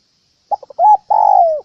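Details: Spotted dove cooing used to lure birds into traps: three quick clipped notes, a rising coo, then a long, slightly pulsing coo that slides downward at the end, with nothing else audible.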